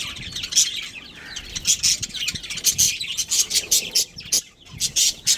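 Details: Budgerigar colony with a breeding pair: shrill, overlapping chirps and short twittering notes in quick pulses, almost continuous chatter with a dip just after four seconds.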